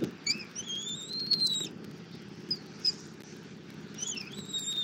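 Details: Feeding at a Southwest Florida bald eagle nest, 24 February 2024, the mother offering armadillo to the eaglet. A long, thin, rising whistle, then a few short high chips and a final slurred note, over steady low nest noise.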